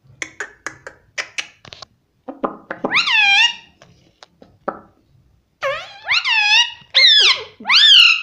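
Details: Pet parrot indoors, taught to say "mummy": soft clicks and short bursts give way to loud, arching, harmonic squawks, one near the middle and four in quick succession toward the end.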